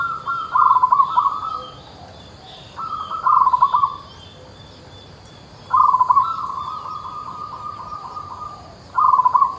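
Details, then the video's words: Local zebra dove singing regularly. Four similar phrases come roughly every two to three seconds, each a brief rapid trill of low rolling coos trailing into a short steady tone, with quiet hiss between. "PERKUTUT LOKAL GACOR SUARA ANTIK"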